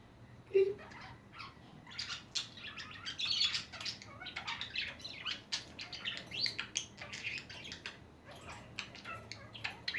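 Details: Continuous budgie chatter from pet birds, a dense stream of high, scratchy twitters and short squeaky notes that rise and fall in loudness without stopping, after one sharp opening squeak.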